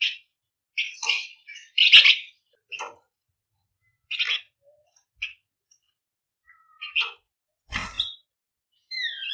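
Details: Gacor flamboyan delivering 'ngebren rapat' song as a lure for other cage birds: loud clustered chirps and trills in irregular bursts, a short whistled note, one noisy crackling burst, and rising whistles at the end.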